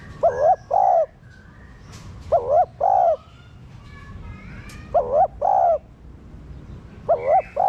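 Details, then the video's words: Captive spotted dove (cu đất) cooing, used to stimulate other caged doves to coo: four paired phrases, each a short wavering note followed by a longer steady hoot, repeated roughly every two seconds. "Cu gáy kích bổi nhanh nổi"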